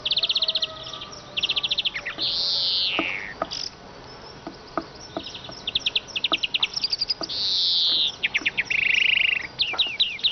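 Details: Siskin song full of rapid high trills broken by long, drawn-out wheezing buzzes that slide downward, plus scattered sharp ticks.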